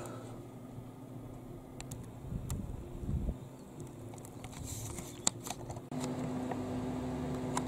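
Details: Low mechanical hum and handling rustles with a few faint clicks and a steady drone in the second half; no clear animal voice.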